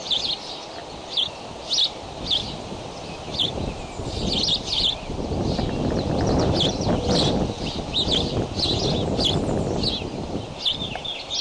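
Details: At the Decorah bald eagle nest on the morning of May 20, with eaglets flap hopping, rapid high chirps repeat in clusters throughout over loud rushing background noise from a nest cam.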